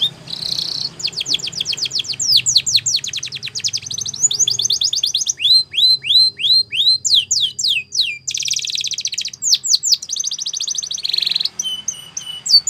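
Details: Song of a Spanish Timbrado canary for training young birds: buzzy rolls alternate with long runs of fast falling notes, a series of looped whistles and dense trills, steady and energetic throughout.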